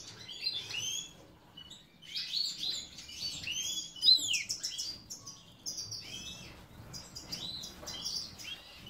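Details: Major-type European goldfinch kept by a breeder in Ioannina, Greece, delivering a lively tinkling song of rapid, sliding high chirps and twitters in bunched phrases with brief gaps.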